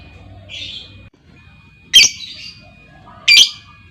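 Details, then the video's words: Female lovebird's lure calls for other lovebirds: a softer buzzy squawk, then two loud piercing screeches about 1.4 seconds apart, each trailing into rasping chatter. "SUARA PANCING LOVEBIRD BETINA, LOVEBIRD LAIN LANGSUNG NGEKEK PANJANG Dengan Suara Lovebird Memanggil"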